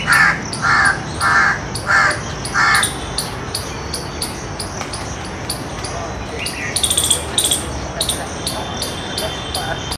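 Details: An Indian peacock on alert repeats loud, harsh, honking calls five times at roughly regular intervals. Quieter sounds and a brief higher chirping follow, with steady rapid ticking in the background throughout.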